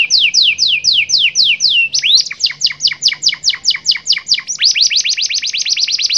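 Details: Kenari (Atlantic canary) master song in cengkok style with glatik batu filling: rapid series of descending whistled sweeps, shifting into faster rolling trills of repeated rising notes, loud and continuous.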